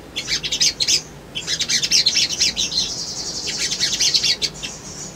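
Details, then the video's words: Sunbird song used as a lure to make birds respond and seek a rival: rapid bursts of high, sharp chirps and twittering trills, with short pauses between bursts and steady faint low hum behind. "SOGON GACOR PANCINGAN BAHAN IJOAN❗ CUMA 1 MENIT❗PASTI RESPON"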